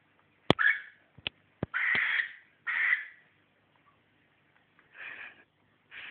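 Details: Cockatiel that seems not to like green socks, letting out several rasping screeches mixed with loud sharp clicks or taps, followed by two softer, breathier calls after a pause.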